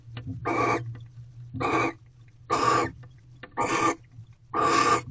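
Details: Wild barn owl pair in a nest box in Corral on a February night in 2023. The male has delivered a rodent and the female feeds on it. Five raspy, hissing bursts spaced about a second apart, with a faint low hum underneath.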